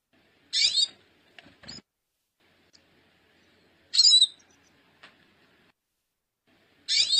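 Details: Calls of a female hooded siskin: three harsh, buzzy high notes at irregular gaps of about three seconds, with soft knocks and rustles between them.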